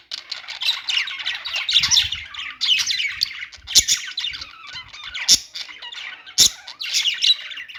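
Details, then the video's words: Budgerigars singing in a steady stream of scratchy warbles, squeaks and chirps, punctuated by a few sharp clicks, several birds overlapping throughout. "budgies singing | budgie sounds | parakeet chirping sounds"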